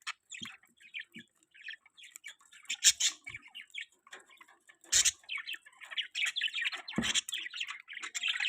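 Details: Chattering budgerigars in an outdoor aviary give scattered high tweets and squeaky warbling notes, sparse at first and then a steadier, denser run of chirps over the last few seconds.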